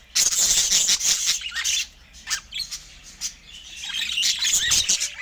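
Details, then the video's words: Budgerigars while feeding, filmed in natural Scandinavian light: dense high chirping and warbled chatter with quick squawks, several birds overlapping, loud at first then softer bursts with rising chirps near the end. "Budgie Nutrition Basics with Sweet Sounds and Feeding Joy"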